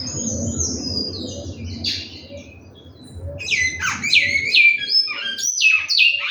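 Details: Large-billed seed finch in a breeding aviary giving a fluty whistled song: high gliding notes, a brief pause, then a series of falling whistles repeated in a lively rhythm, little background noise.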